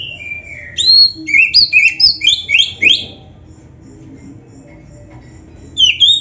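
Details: Oriental magpie-robin song played to make caged birds sing back: a drawn whistle, then a quick rhythmic run of paired upslurred whistles about four a second, a quiet stretch, and a closing whistled phrase.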